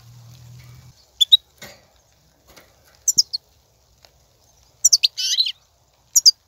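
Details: Wild goldfinch song from 2019, used to encourage caged goldfinches to sing: scattered pairs of high chirps, then a burst of twitters and a short buzzy rasp, separated by near silence.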